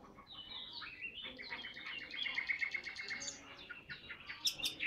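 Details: A tame, caged Chinese hwamei known for singing constantly gives a quieter, rambling song. Quick repeated notes are strung together in a rapid chattering run, with a few sharp high notes near the end.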